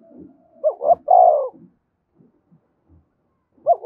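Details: Spotted dove call used to goad wild birds into fighting: one complete phrase of two quick rising notes and a drawn-out falling coo, then the first note of the next phrase; faint low knocks between.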